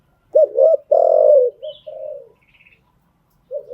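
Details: Spotted dove cooing to train newly caught birds: a stuttered double coo, a long steady coo, then softer falling coos trailing off; brief high chirps from other birds.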